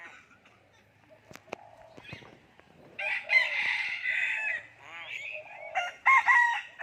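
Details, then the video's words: Common hill myna imitating human speech: after scattered clicks, a loud run of harsh, voice-like syllables with bright ringing overtones, then short pauses and a final burst of shrill, nasal phrases. "common hill myna speaking human language"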